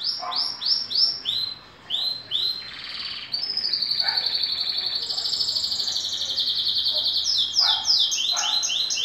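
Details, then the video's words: Two-year-old green canary in moult sings. Quick downward-swept whistles open the song, then a long sustained buzzy high trill, ending in fast rapid chirped notes. Faint low murmurs sound underneath. "Canario verde na muda vocalizando"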